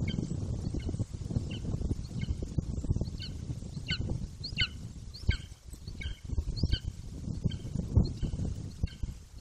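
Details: An 18-week-old juvenile Golden Eagle vocalising near the nest in Bucovina, 9.6.21. Quiet, repeated descending squealing notes sound through heavy, constant wind roar.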